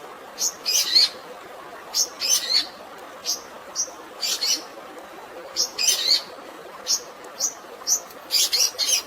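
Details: Long-tailed shrike song filled with fighting sparrow sounds, a training recording with natural water sounds for stressed birds: bursts of sharp, high, scratchy chirps in clusters roughly every second, over a steady rushing hiss like running water.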